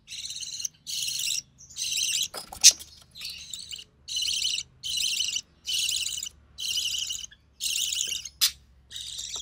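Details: Recessive pied budgerigar chick from a white recessive pied male and albino red-eye female, being fed by its mother; regular harsh buzzy rasps about every three quarters of a second, broken by a brief clatter.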